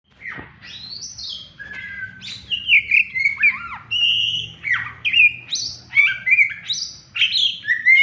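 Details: Pet Oriental magpie-robin whistling excitedly as its owner arrives and greets it: loud, varied song of clear whistled notes, sharp upward and downward slides and short chattering phrases, delivered almost continuously and growing louder over eight seconds.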